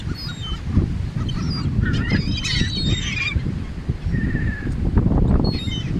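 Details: Feeding wild gulls at the beach in Atlantic City, New Jersey, with the birds flying overhead: a burst of overlapping squealing and mewing cries from several gulls, then a single drawn-out call, over constant wind and surf.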